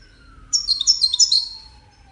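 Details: Brief goldfinch phrase tied to courtship and communication, a second of quick, high, jumbled twittering notes over a faint, slowly falling siren tone.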